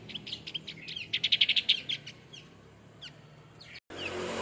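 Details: A male Javan grey-throated white-eye bursts into a rapid, buzzy chatter of high notes for about two seconds, followed by a few scattered thin chirps and a sudden cut to background noise.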